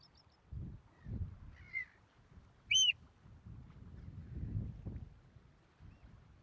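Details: Oystercatcher at a roadside nest in Port Carlisle, Cumbria, England, second attempt after a nest lost below the high tide mark, taken with a Swarovski 80HD scope and Canon S95 camera. A faint note, then one clear, sharp arched piping call over steady low rumbling.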